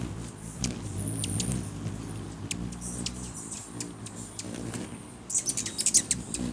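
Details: Rufous hummingbirds contesting a finger perch held by a man, May 20, 2020; scattered thin high chips, then a loud rapid burst of squeaky chittering in the last second, over low background hum.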